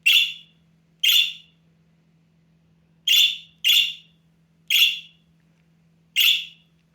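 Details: Half-grown budgerigar chick calling loudly for attention: six short, harsh, high screeching calls at irregular gaps of about one to one and a half seconds, in an otherwise quiet room with a faint low hum.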